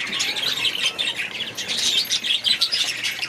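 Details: Several budgerigars in an aviary keep up a busy stream of rapid chirps and twittering warbles, overlapping without a break.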